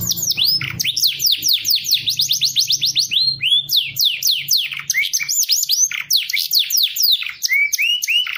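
A canary sings a fast, unbroken stream of bright, high trills and swooping whistled notes. A faint low hum runs beneath the first few seconds.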